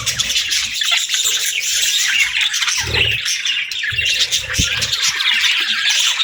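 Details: Budgerigar singing and chirping: a dense, continuous high warble of chattering notes and short squawks, with no pauses.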